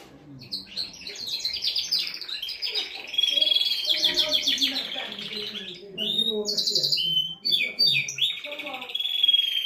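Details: A canary cock sings to excite a female for mating and teach fledglings. The song is a long, loud cascade of rapid trills with pure sustained whistles and sweeping slurs, over a faint low murmur.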